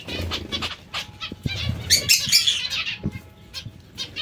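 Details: Nasal tooting calls of zebra finches eating vegetables, repeated irregularly, peaking in a loud overlapping flurry near two seconds, with soft knocks and flapping wings.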